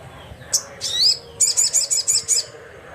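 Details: Loud sogon, the crimson sunbird, calling to rivals: a few sharp high chips and a rising squeaky note, then a quick run of six evenly spaced high buzzy trill notes.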